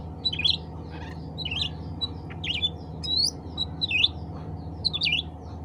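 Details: Bulbul known as cucak ranting, calling other birds of its kind, here in a quieter, busier run of varied twisting chirps and warbled notes, nearly continuous, over a persistent low hum.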